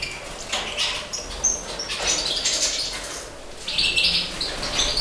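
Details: Caged breeding major goldfinches, 2012 season: rapid high twitters and tinkling trilled notes in short bursts, a longer sustained phrase near the end, with fluttering wings and cage rustle.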